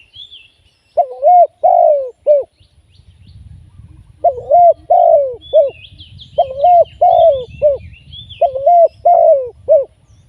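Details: Decoy Spotted dove for live trapping, repeating four deep cooing phrases at steady intervals. Each phrase has two longer wavering coos and a short clipped end note. Faint chirping of small birds and low rustle sit behind.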